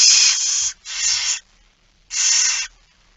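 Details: Begging of a barn owl at feeding time, early morning, 13 September 2019: three breathy, rasping hisses. The first two run nearly together, and the third follows after a pause.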